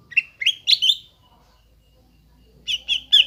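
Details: Greater green leafbird song used to rouse a silent bird back into singing: four quick bright chirps, a pause of more than a second, then three more loud chirps.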